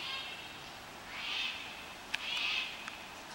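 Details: Cockatoo flock in flight in Australia's Blue Mountains: three hoarse, drawn-out screeches about a second apart, with a couple of sharp clicks, over steady hiss.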